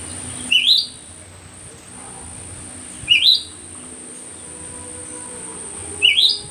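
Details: Myzomela, unedited recording dated 25 December 2022: loud, high, squeaky rising calls repeated roughly every three seconds, three in all, over faint low hum and a steady thin whine.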